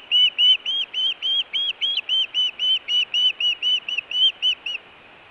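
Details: Montana nest osprey in June, food or alert calling: a fast, regular series of about eighteen high, arched whistled chirps lasting nearly five seconds, then quiet.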